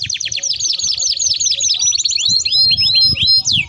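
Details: Canary singing a rolling song meant as a lure and for tutoring young canaries: rapid repeated falling notes about four per second, then rising whistled slurs, over soft low background noise.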